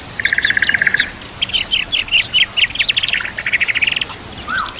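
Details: White-rumped shama, a lively fighter-type bird singing with full varied fill-ins, set against natural ambience. Rapid even trills alternate with high sharp notes and buzzy bursts in a dense, energetic phrase that ends with a lower slurred whistle.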